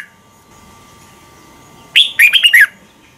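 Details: Red-whiskered bulbul morning song, sung fast and heated and used as a lure to train other bulbuls: one short burst of four or five rich, clear, whistled notes, each sliding downward, after a quiet start with faint steady background hum.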